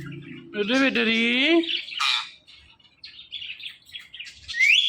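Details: Male pet Indian ringneck parakeet talking: a drawn-out, voice-like utterance with layered, wavering tones, followed by short raspy bursts and a rising squeaky note at the end.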